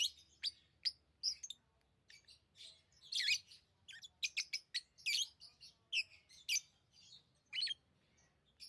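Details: Lovebirds, tame pet birds, chirping in short sharp high bursts, loose clusters of harsh squeaky notes with gaps of silence between, some bursts stacked close together, a quiet low hum underneath.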